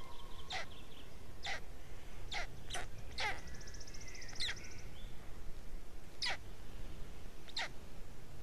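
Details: Black stork nest in Estonia, 20 May 2018, shortly after 14:00, a parent returning at change-over to feed its chicks during the third chick's hatching; repeated harsh, wheezy rasping bursts, with thin whistles and a brief buzzy trill from other birds.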